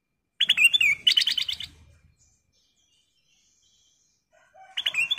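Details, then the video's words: Lively calling of a kutilang emas bulbul, a lure to prompt other birds' song: two fast bursts of clear, ringing chirps in the first two seconds, silence, then another burst at the end. "Suara Panggilan Kutilang Emas Gacor , Pancingan Kutilang Emas full isian"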